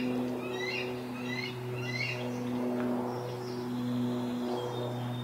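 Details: Juvenile eagle begging for its breakfast: clusters of quick, high chirping whistles repeated in bursts, set against a steady low droning hum.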